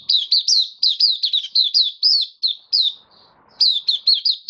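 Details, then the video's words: Kept White-eye (Mata Puteh) in full open song, 18 May 2022, following deworm treatment: long rapid series of bright, high slurred whistles, briefly broken by a soft trill before the quick notes resume. "Mata Puteh Kitaro buka sing"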